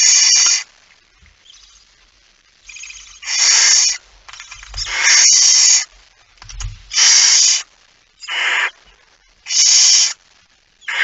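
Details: Night recording of a barn owl, the male arriving with a mouse on 17 September 2019 at 23:55; a steady series of loud breathy hisses, each under a second, repeated roughly every second or two, with a few low bumps.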